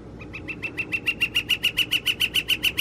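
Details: Northern flicker on April 17, 2021, a fast regular series of sharp taps building in loudness over about three seconds, evenly spaced and crisp.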